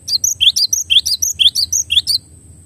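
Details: Clear tutor-song recording of a cinereous tit: crisp, high, whistled two-note phrases repeated quickly, each pair sliding downward, ending after about two seconds, with a faint steady high-pitched whine beneath.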